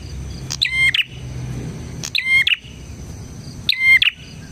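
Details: Bar-winged prinia, a vocal bird used to draw in and tutor other prinias: three sharp phrases of rapid clicks and a steady whistle, spaced about one and a half seconds apart.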